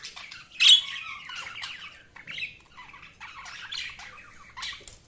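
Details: Budgie warbling: one sharp squeaky chirp, then rambling scratchy warbled notes and soft chatter that rise and fall.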